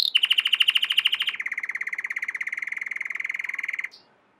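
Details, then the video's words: An American Singer canary training song: a bright, clipped trill of about ten notes a second, then a faster, lower rolling trill lasting over two seconds. "american singer canary training song"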